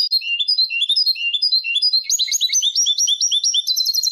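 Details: European goldfinch song in the Malaga style, recorded for young birds to memorise: a rapid tinkling run of high twittering notes, each phrase dipping and rising, with a brighter, higher sequence after two seconds.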